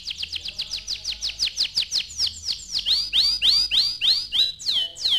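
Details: Canary delivering a steady run of sharp downslurred chirps, about three per second, then slower, fuller swooping whistles, with faint low hum behind.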